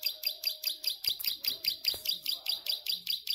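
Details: Long 'ngelik' song of an actively singing plain prinia: evenly spaced, sharp, buzzy high notes delivered quickly, about two to three each second, with a soft low tone faintly audible behind.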